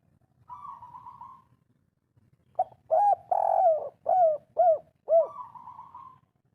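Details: Spotted dove in breeding condition, local wild voice, cooing in the "kuk 3" style. A soft purring trill is followed by a phrase of rounded hooting coos, about five notes, ending in another drawn-out purr. Quiet low hum behind.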